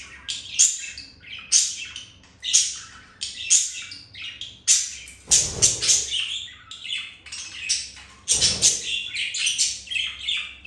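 A budgerigar gives bright, scratchy chirps in quick bursts, roughly one each second.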